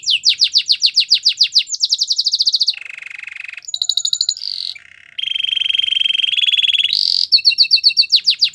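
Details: Belgian canary singing a varied song of rapid repeated phrases: fast falling chirps, buzzy trills and steady whistled rolls, switching phrase every second or so, clear and close with no other sounds.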